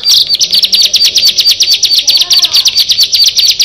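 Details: Bar-winged prinia, one of six birds, singing a loud, rapid series of sharp high chirps about eight per second, steady throughout, with a faint lower warble in the background.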